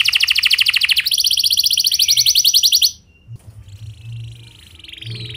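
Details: Canary rolling song used as a lure for other canaries: two rapid, even, buzzy trills of high pulsed notes for about three seconds, then near quiet with a faint thin note.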